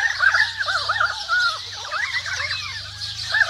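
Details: Currawongs in a forest give a rapid run of looping, yodelling mid-pitched notes with bright whistled accents, backed by steady high chirping from sparrows and other birds and a faint low hum.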